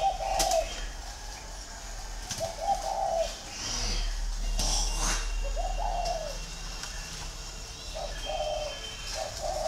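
Green pigeon giving soft, wavering whistled phrases in the mid range, roughly every two to three seconds, over a steady low hum and a few clicks.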